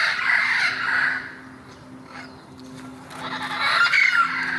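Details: Wild parrots in Irvine on November 1, 2016, a pair apparently mating; harsh, raspy screeching bursts at the start and again near the end, with a quieter stretch between.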